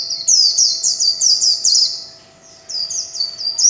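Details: Short burst of líu chòe song from a kept warbling white-eye, intense high sweeping trills repeated quickly, a brief pause, then the phrases start again.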